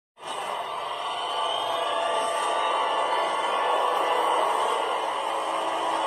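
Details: Continuous broad hiss that starts abruptly and holds steady throughout, with no animal call present.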